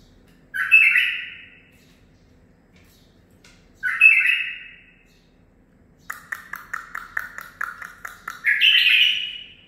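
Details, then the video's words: Home-bred 9-month-old male bulbul, kept and trained by its owner, singing learned song phrases: two short bright warbled bursts several seconds apart, then a fast run of clipped repeated notes rising into a final whistled flourish. "من بلابلي الخاصه (الكابتن ) مخلف تخريجي العمر 9 أشهر اخذ لسانات زلزال"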